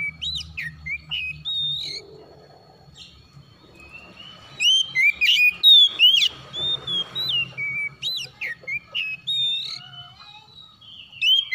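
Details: Oriental magpie-robin morning call, a few whistles, a quieter gap, then a loud run of sharp, rapidly repeated whistled notes and upslurred chirps.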